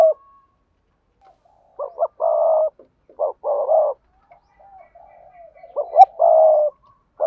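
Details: Spotted dove calls of the sa thúc, gù and gáy types, meant to attract wild doves. Each low phrase is two quick clipped notes and a held coo, repeated three times with quiet gaps and faint murmurs between.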